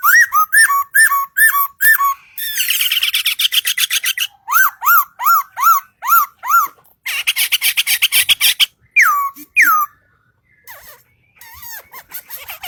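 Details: Singing bird delivering a long, varied song: bursts of looping whistles, rapid buzzy trills, a series of chirped downslurred notes, then two long drawn whistles and softer fading notes.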